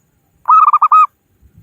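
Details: Zebra dove, a local bird used to lure others into traps, gives one loud short phrase of rapid stuttering coos lasting about half a second.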